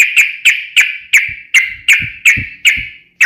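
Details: Yellow-vented bulbul, sharp fighting song used to make other bulbuls respond: about eleven loud, ringing chirps, each fading slowly, repeated roughly every quarter to third of a second, with faint low thumps underneath.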